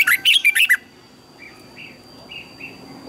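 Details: Red-whiskered bulbul singing, used as a decoy recording for training other bulbuls to sing: a quick burst of five or six bright, whistled notes in the first second, then faint repeated short notes over a low background hum.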